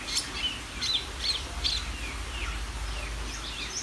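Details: Greater green leafbird singing energetically: bright, sharp whistled and chirped notes, some slurred downward and others rising, delivered in a quick irregular string with short gaps, over faint low background noise.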